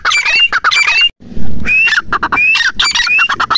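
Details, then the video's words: Teetar, or grey francolin, calling in short bursts of scratchy notes topped by upward-sliding whistles, broken by a brief gap and a patch of low rumbling noise. "grey francolin voice"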